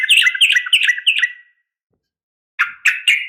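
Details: Female yellow-vented bulbul calling the male with a fighting call: a fast string of bubbly, chattering notes, then quiet, then three abrupt harsh chirps.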